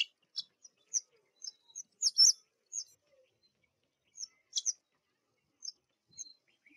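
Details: Black drongo in the spring season giving short, high, sharp chirping notes in scattered bursts, with a louder cluster of metallic notes near the middle and silent gaps between phrases.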